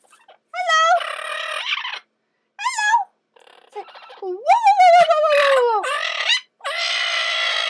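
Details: Caged pet male red-lored amazon parrot squawking and talking while a person urges it to speak: harsh ringing squawks, a rising-falling whistled wail and rasping screeches in irregular bursts, with the owner's voice nearby.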